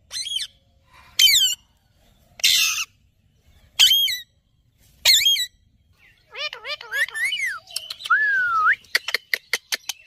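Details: Ringneck parrot calling: loud harsh screeches in short bursts about every second and a quarter, then a run of wavering whistled notes, a slow rising-falling whistle and quick sharp clicks.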